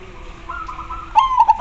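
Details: Zebra dove, a very vocal local perkutut, cooing: a level drawn-out note followed by a rapid run of four short, clear, rhythmic coos near the end.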